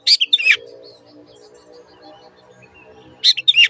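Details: Long-tailed shrike master song for caged birds: two short scratchy bursts of chattering notes, one at each end, with a faint low hum and soft background sounds between.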